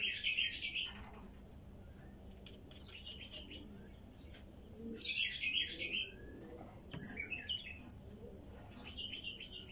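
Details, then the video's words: Wild female bulbul singing: short warbled, bubbly phrases pitched fairly high, given in bursts near the start, middle and end, with quiet gaps and a faint low hum between them. "تغريد بلبل نثيه وحشي"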